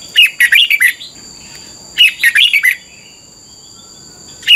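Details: In Thailand, a red-whiskered bulbul's song is played for training young birds: two matching phrases of five or six bubbly whistled notes, about two seconds apart, with a third starting at the end. A steady high hum runs underneath.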